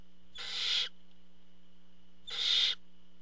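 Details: Barn owl at its nest during a food delivery by the father: two breathy, hissing screeches almost two seconds apart, each rising slightly in loudness before cutting off, over a low hum.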